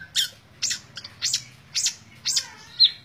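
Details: Long-tailed shrike, tembak ngebren song style: six rasping, high chattering notes spaced roughly half a second apart, ending with a thin sharp whistle, over a faint low hum.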